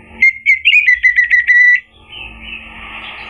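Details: Orange-headed thrush song serving as a lure for a bird that has stopped singing: one quick phrase of about eight pulsing, clear whistled notes at an even pitch, followed by a soft hiss.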